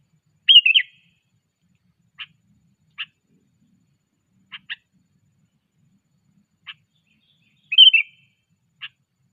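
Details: Sooty-headed bulbul being trained in the 'cengkram' style: a bubbly whistled phrase opens and closes the passage, with sparse dry ticks scattered between, otherwise quiet.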